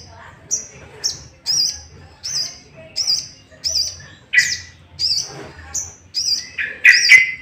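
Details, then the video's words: Sooty-headed bulbul, played to bait other bulbuls into song: short, high, level whistled notes repeated at a steady pace, ending in lower, fuller chirps. "Pancingan emosi burung sogok ontong"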